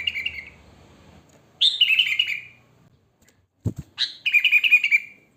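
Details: Sooty-headed bulbul in natural song, used for luring: liquid, bubbling phrases that drop slightly in pitch, with a sharp click-like sound between phrases and a faint low hum at the start.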